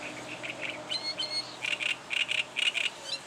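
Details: Reed warbler delivering an advertising song: a few thin whistled notes followed by rhythmic, repeated chattering chirps grouped in twos, jerky and scratchy in tone.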